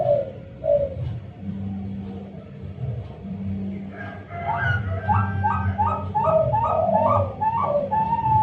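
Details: Young Bangkok-type zebra dove hatched 19 May 2022, kept at a bird farm in Jepara, Central Java. Soft low coos open the recording, followed by a quick run of repeated, slightly higher cooing notes over a steady low hum.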